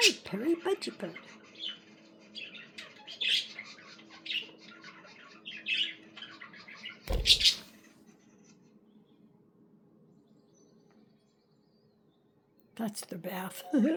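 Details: Pet budgerigar chirping and warbling: a rapid string of soft high twitters and chatter, broken by a loud rustle or splash, then quiet before more noise.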